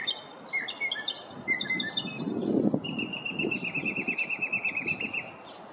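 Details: Northern mockingbird singing in a neighborhood in the morning, running through its repertoire of mimicked calls: short chirped phrases around the start, then a long steady whistled tone held for over two seconds, with low background rumble.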